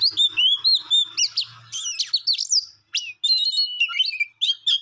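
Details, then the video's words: Songbird opening with a string of repeated clear whistled notes, roughly four per second, then breaking into fast, varied chirps and buzzy trills. "Beautiful song bird"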